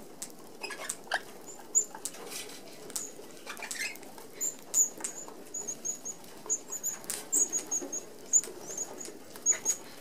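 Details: Red-browed finches flocking to feed at a mesh-covered open aviary feeder. Soft, thin high-pitched peeps recur steadily, growing busier toward the end, with a background whir of wingbeats.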